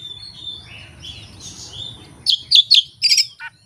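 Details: Oriental magpie-robin performing learned song phrases with no tutor recording and no opponent: soft, wavering whistles at first, then four loud sharp chattering notes and a short downward-falling note.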